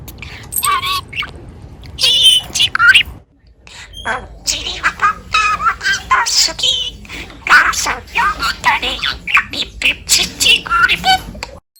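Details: Pet budgerigar that habitually calls for its mother, singing indoors: a long, rapid warble of scratchy, buzzy chirps and short squawks, briefly pausing midway before resuming in quick repeated bursts.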